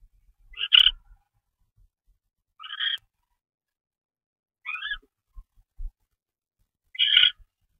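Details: Four brief, hoarse, hissing screeches from a barn owl delivering a mouse late at night on 25 February 2013, spaced about two seconds apart, with soft knocks between calls.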